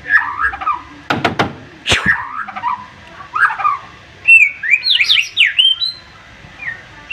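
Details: Sharp-voiced white-rumped shama: fluttering whistles, two or three loud snapping sweeps, then a brisk run of rising, slurred whistled notes climbing steeply, followed by softer warbles.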